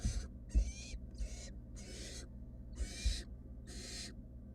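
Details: Fluffy wild barn owl nestlings in a monitored nest box produce six coarse hissing calls of uneven length, with occasional soft thumps from the chicks and a steady low background hum.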